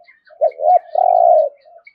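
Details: One full 'thúc gù' phrase of a spotted dove with the reverberant 'thổ rền' tone: a quick note and a bent note, then a long humming coo fading out softly.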